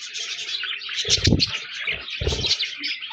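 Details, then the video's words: Budgies chirping in a busy chorus of high warbled notes, broken by two loud low thumps. "Budgies Birds talking sound | Birds chirping sounds"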